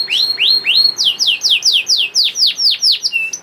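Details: Young canary's lure song for getting other canaries singing: rising swept notes, then a steady series of downward-curving whistles at about three per second, ending on a short level note.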